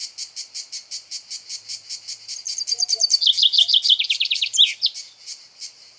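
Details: A male common chaffinch sings from a pine tree in Greek nature while another chaffinch eats seeds nearby. The song is a brisk, descending rattle of bright notes ending in a quick flourish, over a steady high chirping pulse about three times a second.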